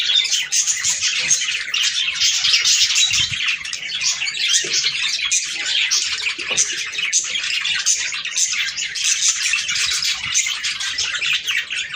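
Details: Chorus of budgerigars singing to encourage breeding, a steady unbroken wash of high chirps, twitters and warbles from many birds at once, without pauses.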